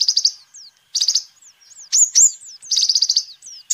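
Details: Sunbird known as kolibri ninja singing vigorously, a lure and song master for birds. Short high rattling trills mix with thin slurred whistles and loud rising squeaks.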